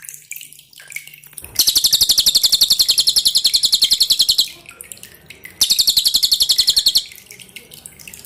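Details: Training recording of a pin-striped tit-babbler's hard, dense song with dripping water: after a soft start, a long three-second burst of rapid shrill repeated notes, a pause, then a shorter burst of the same chatter.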